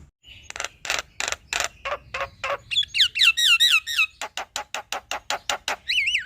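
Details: Singing male black-winged myna, used to stir another bird, gives a long sequence of evenly spaced rasping notes about twice a second, broken by a burst of wavering whistled slurs and ending in looping whistles.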